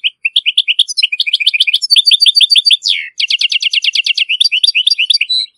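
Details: Moroccan European goldfinch singing strong, clean song meant for tutoring young goldfinches and hybrids; rapid liquid twitters and repeated chip runs with one swooping downslur midway, continuous for nearly six seconds.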